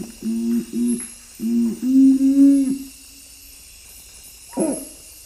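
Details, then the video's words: Nocturnal Curassow, a strictly nocturnal bird of western Amazonian forest upper levels, giving its low booming song of typically three notes: a few short hollow humming booms, then a longer drawn-out one; a man's voice begins speaking at the end. "Listen for a low booming song typically with three notes."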